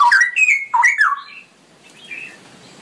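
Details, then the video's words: Straw-headed bulbul, known locally as cucak rowo, singing a long ropelan-style song: loud, rich warbled notes sweeping up and down, a bubbling phrase that fades after a second and a half, then a soft distant note. "suara burung cucak rowo ropelan panjang"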